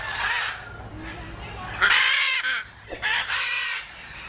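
Budgerigar chatter: harsh, scratchy bursts with squeaky warbled notes, in three or four runs of under a second, separated by brief pauses.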